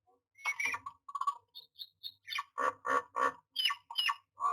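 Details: Myna at its nest box during nesting, recorded 09-06-2022: a run of harsh, squawky notes with harmonics, mixed with short high whistles and a few sharp chirps, the rasping notes repeating roughly every third of a second near the end.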